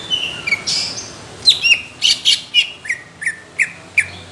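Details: Cucak ijo, the greater green leafbird, singing for competition judges: a hoarse opening phrase followed by a series of sharp, downslurred whistled notes spaced about a third of a second apart, coarse and thick in tone.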